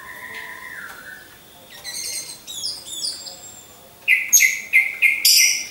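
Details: Caged orange-headed thrush hung in a row, recorded as a training lure; soft lower whistles first, then scratchy mid-high phrases, ending with loud repeated squeaky bursts about twice a second.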